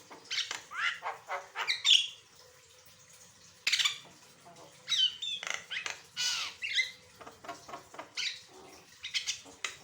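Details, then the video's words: Asian pied starling singing a varied song for training other birds, with short chatter phrases, curving whistled slurs and brief pauses, one sharp click midway, over a faint hum. "Burung jalak kebo gacor, suara variasi"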